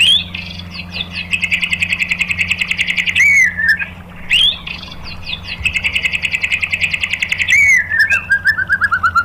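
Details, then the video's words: Lure song of a white-rumped shama intended to provoke other shamas: long fast chattering trills separated by loud whistled sweeps, with a descending series of notes closing the passage. "SUARA MURAI BATU FULL TEMBAKAN ¦ PANCINGAN MURAI ¦ SHAMA BIRD"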